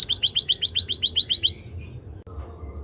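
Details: After sunning, a Scaly-breasted munia gives a rapid train of about eleven sharp, high, downward-slurred whistles, evenly spaced, followed by a faint trailing note, a click and quiet background.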